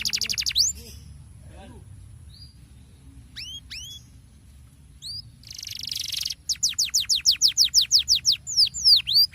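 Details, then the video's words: Canary pouring out the rolling 'ngerol' song meant to set other canaries singing: a few quiet scattered whistles, a buzzy burst, then a loud, regular run of fast descending trill notes. "30 detik ngerol Pancingan Ampuh buat kenari kurang gacor sekali tarik kenari pasti ikut bunyi"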